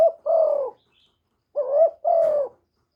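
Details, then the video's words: Spotted dove calling as a lure to stimulate other doves, recorded cleanly without noise: soft, low, level coos in two pairs, each a rising short note running into a longer, gently falling hoot. "Tiếng chim cu gáy mồi chuẩn kích bổi mỗi ngày, tiếng cu gáy gọi.cu gáy kích trống.cu đất gáy.Cu cườm"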